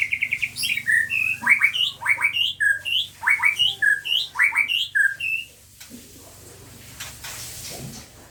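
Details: Captive-bred Aceh white-rumped shama, at a breeding setup where the young have begun learning to fly: a fast run of varied, sharp chirped and whistled notes, some rising and some falling, then quieter background with faint thumps.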